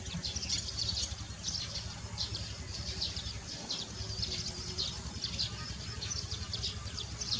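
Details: Barn swallows in Baisha twitter in quick, high, scratchy bursts every second or so, over a steady low rumble of wind or distant traffic.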